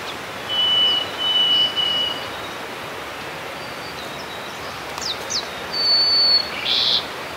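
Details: Harris's sparrow singing at Grant Park, South Milwaukee, Wisconsin, on 14 May 2016: long, pure whistles held on one steady pitch, one after another, then a higher whistle near the end, over steady background hiss.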